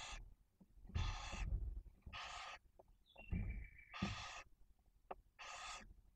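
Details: Nesting barn owl in Cabañeros National Park, Spain, with two newly hatched chicks while the male brings prey. Five harsh, breathy hiss bursts, with a short, falling whistled note midway and low rustling beneath.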